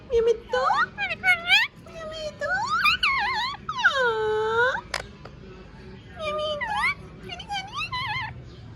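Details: Ring-necked parakeet talking, speaking clearly: a series of warbling, bending, voice-like phrases with harmonic swoops, some long arched notes, and short pauses between bursts.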